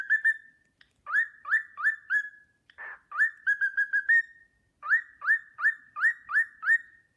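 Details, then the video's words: A pet cockatiel repeats its Sportpalast Waltz whistle, upswept notes in threes and fives, a short noisy squawk midway, a fluttering trill, and a final steady series of bright rising whistles. "Nymphensittich Carlo pfeift den Sportpalast-Walzer"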